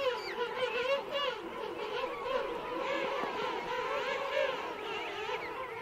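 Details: Colony of King penguin adults and chicks calling at Right Whale Bay, a continuous mass of overlapping trumpeting, wobbling calls forming a steady crowded din.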